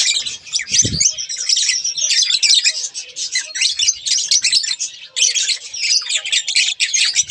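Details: A pair of budgerigars, kept as pets, keeps up a scratchy twittering warble with high whistled squeaks, broken by a short pause midway and a low knock early on.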